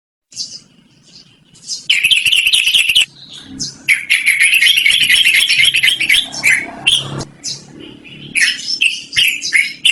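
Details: Yellow-vented bulbul in long, continuous rolling song, described as loud and melodious and used for luring or training birds; a brief note opens, then dense bursts of harsh, chattering notes run between two and seven seconds before scattered bright phrases close.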